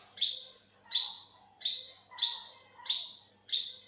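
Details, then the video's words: Six high, wiry olive-backed sunbird notes in four seconds, each starting with an upward sweep and tailing off in a buzzy whistle, steady and insistent. "เสียงนกกินปลีอกเหลือง Olive-backed sunbird, Yellow-bellied sunbird"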